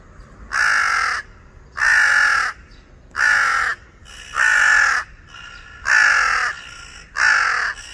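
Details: Angry crow perched on electricity wires gives six harsh, rasping caws, each about half a second long, spaced roughly every second and a quarter, over a low background rumble.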